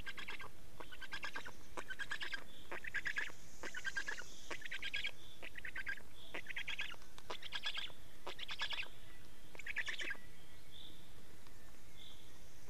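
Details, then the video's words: At a black stork nest in Estonia, 24 May 2019 at 15:15, during a change and feeding: repeated raspy pulsed bursts every second or so, mixed with short thin whistled notes. "Estonian Black Storks - Change and feeding"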